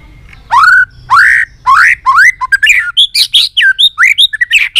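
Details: Excited White-rumped shama giving many-voiced song. A loud run of rising, upslurred whistled notes starts slow, then speeds into quicker varied whistles and chips, all clear against a quiet background.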